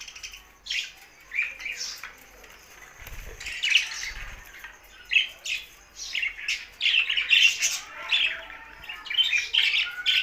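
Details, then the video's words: Budgerigars singing: a continuous, busy warble of high chirps, squeaky twitters and short scratchy notes, coming in dense overlapping bursts. There is faint low thumping near the start. "Budgies Sounds for Lonely Happy singing"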